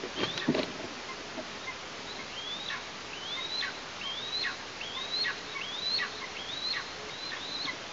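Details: Young Eastern imperial eagle in its Tatarstan nest, August 2023, parents delivering food: a few knocks and thumps at the start, then a run of seven rising-then-falling whistled calls about once a second.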